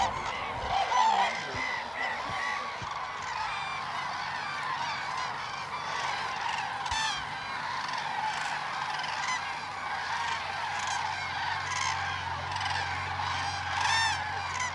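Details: Many common cranes dancing at Lake Hornborga, Västergötland, Sweden, in April 2009 give loud, trumpeting, rolling calls that overlap in a continuous chorus, with no pauses.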